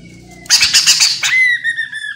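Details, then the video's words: Lure recording of the chestnut-capped laughingthrush, or poksay mandarin, meant to get other birds calling back. An abrupt, harsh, broken screech lasts under a second, then trails into a clear, long whistle that slowly falls in pitch, over a faint low hum. "Poksay Genting Gacor Full,Semua Jenis Burung Poksay Mandarin Langsung ikut Nyaut"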